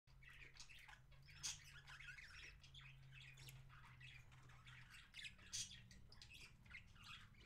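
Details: Parakeet feeding another parakeet indoors, January 26, 2017. Raspy, scratchy squawking chatter goes on throughout, with two louder bursts near 1.5 and 5.6 seconds over a steady low hum.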